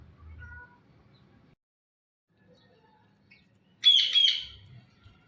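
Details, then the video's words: Blue ringneck talking parrot producing a loud, raspy double screech late in a quiet stretch, with low rumbling noise before and after. "Blue Ringneck Talking Parrot | Natural Sounds"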